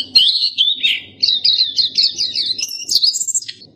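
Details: Black-capped white-eye song: a twisting high warble that climbs toward very high squeaky notes near the end, delivered in one rapid run.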